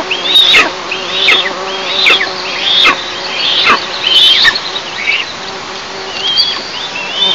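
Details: Nest-camera recording of Eastern imperial eagles, 11 July 2024 at 09:14; a steady sequence of high, short slurred whistles, each dropping off steeply, repeated a little faster than once a second.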